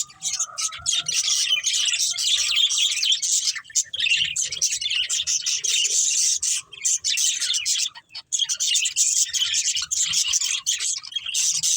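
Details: A breeding pair of budgies chirps without pause in a long stream of buzzy, high, scratchy warbling, with faint tonal notes early on.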